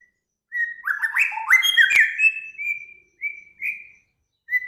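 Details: Singing bird from a master compilation of Samyong, Kancilan Flores and Garugiwa voices for training cage birds. A rich, fast jumble of slurred whistles with a sharp click midway, then three spaced, clear level whistles.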